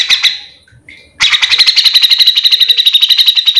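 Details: Grey-cheeked bulbul in 'gacor mbeset' style, a lure for others of its kind: a short chirp burst, a pause, then a long rapid stream of sharp, evenly repeated notes, about four per second at first and quickening.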